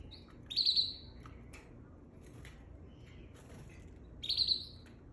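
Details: Canary couple fighting: two loud, harsh, buzzy chirps about three and a half seconds apart, with faint soft chirps and clicks between them over low background hiss.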